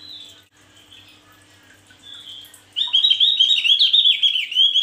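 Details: Male Javan grey-throated white-eye in energetic full song, suited for tutoring other birds: quiet, thin high warbling for nearly three seconds, then a loud, fast, tumbling run of twittering, rising and falling high notes to the end.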